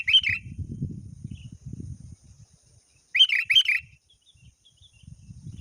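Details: Sooty-headed bulbul, a lure call for calling a rival. There are two bright, bubbly chirped phrases about three seconds apart, with a low rumble underneath between them.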